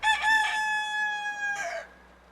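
A rooster gives a single loud crow: a rough, choppy opening, then a long, clear, level note that breaks into a falling, hoarse finish.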